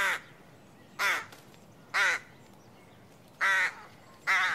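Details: Adult Rook (Corvus frugilegus) giving five harsh, grating caws, each brief and spaced about a second apart, with a slightly uneven rhythm over quiet background hiss.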